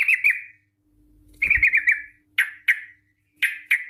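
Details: Song of a yellow-vented bulbul, played to prompt bulbuls to sing in long rapid 'ropel' style: short chattering phrases and sharp downslurred notes in quick bursts, with a brief low thump midway.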